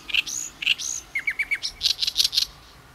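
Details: In Ishikawa, Japan, an Oriental reed warbler sings its characteristic loud, harsh "gyogyoshi" chattering song: two scratchy notes, a quick run of four clipped notes, then a rapid string of high rasping notes.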